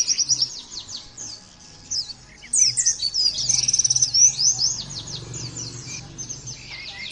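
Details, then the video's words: Oriental white-eye in loud song, used to stimulate birds to imitate. Bursts of rapid high chirps alternate with a brief lull, then a quick buzzy trill and more tumbling twitters. Faint low hum beneath. "terapi pleci bikin nembak mudah di tiru langsung ngotot bunyi"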